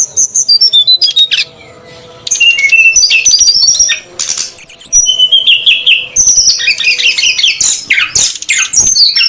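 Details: Sooty-headed Bulbul (srdc) lure sound, female and male birds noisy, used to attract wild bulbuls: busy high chattering whistles and trills with clicking, a short quieter gap near two seconds, then continuous overlapping calls.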